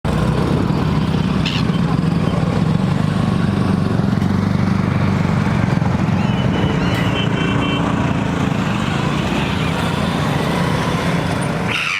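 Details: Loud, steady engine and traffic rumble fills the recording, with a brief tonal horn-like sound midway and no animal calls.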